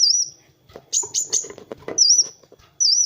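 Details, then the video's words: Kolibri wulung sunbird in full song, used as a master for training other birds: sharp high whistled notes alternate with soft clicking, scratchy sounds and brief gaps. "SUARA BURUNG MASTERAN Kowul (Kolibri Wulung) GACOR"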